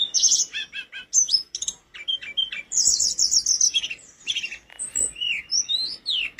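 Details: Mountain flowerpecker in full training song: loud high chirps, a rapid stuttering trill, then varied sliding whistles and sharp squeaky notes in a lively sequence.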